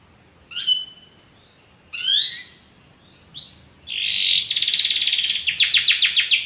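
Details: Belgian canary opening with three separate short whistled notes spaced by pauses, then launching into a loud buzzy trill and rapid rhythmic rattling strokes, with faint background hiss.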